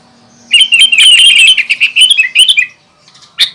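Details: Sooty-headed bulbul in lively full song, meant to provoke other bulbuls: a rapid run of rich, bubbling, warbled notes lasting about two seconds, followed by a pause and a final sharp burst, with a faint steady low hum.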